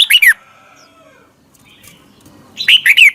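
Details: Red-whiskered bulbul song played for young birds to copy: two loud bursts of short warbled, slurred descending notes at the start and end, separated by a quiet pause with faint thin tones.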